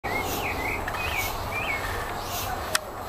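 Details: Pale-breasted thrush singing in nature: short, clear, slurred whistled phrases, several rising then falling, spaced about half a second apart, over steady loud background noise with a single sharp click near the end.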